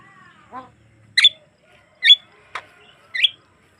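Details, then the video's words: Javan myna song used as a lure to make other mynas sing: a low nasal note, then four loud squeaky whistled calls spaced about half a second apart. "ocehan burung jalak kebo yang bikin lawan ngikutin bunyi langsung"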